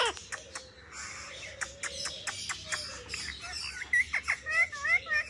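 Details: Parrot fiddling with a mobile phone indoors, with rapid clicking chatter early on, then a series of short bright whistled notes with small wavering inflections, repeated several times toward the end.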